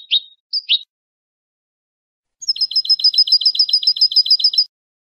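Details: European goldfinch song from a clean-song tutor recording (2015) made for teaching young birds to sing: two short sharp notes, a pause, then a fast run of about sixteen bright, evenly repeated high notes lasting two seconds. No background noise.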